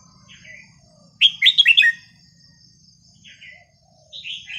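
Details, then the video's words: Red-whiskered bulbul with a pleasing, non-repeating song meant for tutoring young birds: soft slurred notes lead into a loud, rapid run of bright warbled whistles, then quieter answering phrases. "นกกรงหัวจุกสำนวนเพราะๆ ร้อง เพลงไม่ซ้ำกัน"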